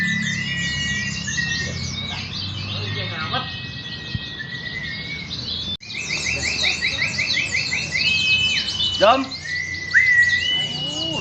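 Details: Indonesian white-eyes singing in a practice contest held Sunday morning, 28 June 2020, in Klaten. Bright, fast twittering trills and chirps pour from several birds together, broken by a sudden cut midway, with thin sustained whistles and a low background hum.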